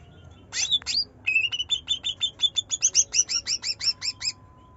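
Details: Cucak ijo, the greater green leafbird, delivering gacor trotol nyerecet nembak singing meant to coax a silent bird: a long, fast, steady string of around twenty high, bright whistled-chirp notes, some rising and some falling, over faint background hum.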